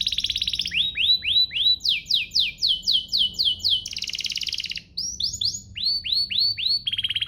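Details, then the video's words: Canary song played as a lure to get other canaries singing: bright repeated trills and series of high down-swept whistles, each phrase changing pattern every second or so, over a faint low hum. "Pancingan ini EFEKTIF BANGET, burung kenari lain langsung terpancing untuk GACOR"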